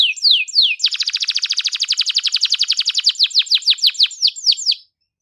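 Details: Canary singing high, sweet down-slurred whistles, then a fast rolling trill of about a dozen notes per second, ending with slower slurred notes.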